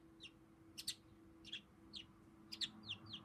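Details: Standing on one leg, a tame pet budgerigar chatters toward its owner in a string of clipped, slightly harsh chirps and downward squeaks, spaced irregularly, with a faint steady hum behind.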